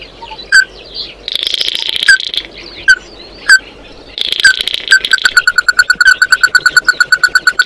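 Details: Oriental white-eye singing to gather its flock: isolated sharp chip notes between bursts of high, buzzy twittering, then an accelerating, regular train of short clipped notes to the end.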